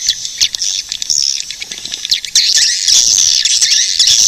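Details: Shrill swiftlet chatter and clicks, sparse at first, then a loud, continuous twitter from about two seconds on.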